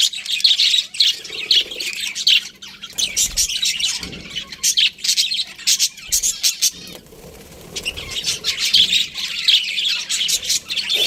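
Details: Budgerigars trade bursts of high chirps and scratchy chatter, with gaps and soft low bumps in between, then a long lively run of warbling near the end.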